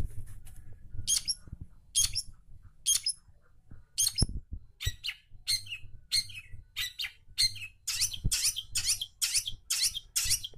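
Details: A long-tailed shrike in full, active song, used as a lure to get silent shrikes singing, delivers short, sharp, high scratchy notes. They start about once a second and speed into a rapid chattering run, with low thumps in the background.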